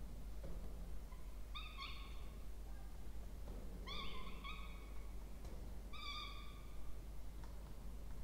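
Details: Peregrine falcon chicks, two, being fed in a nest box in Orange, New South Wales, Australia, 20 October 2024; three separate harmonic whining calls spaced about two seconds apart, with soft knocks and steady hum.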